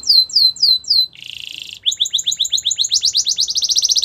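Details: Canary training song: a few slow arched whistles, a buzzy rattle lasting under a second, then an accelerating series of rising notes growing louder and faster.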